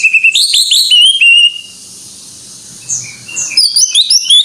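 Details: Greater green leafbird singing energetically: a rapid stream of bright whistles and chirps, then a near-silent pause with faint soft notes. A fresh burst of quick high chirps follows.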